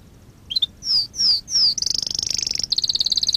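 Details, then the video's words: Canary singing as a lesson for training canaries: short high chirps, three clear downslurred whistles, then a rapid shimmering high trill that breaks into evenly pulsed notes. "Kanarya ötüşü- Kanarya dersi-kanarya coşturma"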